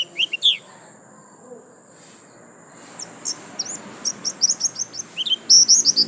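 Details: White-eye singing lasroll, gacor style: a couple of sharp high chirps, a pause with only a steady high hiss, then a quickening string of short swept notes building toward the end.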